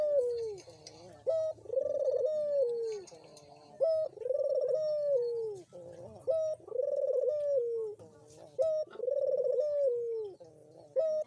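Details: Dove call played as a lure to coax a silent dove into calling: low, smooth, mellow coos that rise then sag, in long phrases repeated roughly every two and a half seconds, with faint higher chirps in the background.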